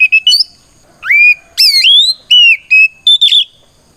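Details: Oriental magpie-robin singing a combative song to challenge rivals: loud whistled notes, upward swoops and held level tones, delivered in quick phrases about four seconds long, clean background.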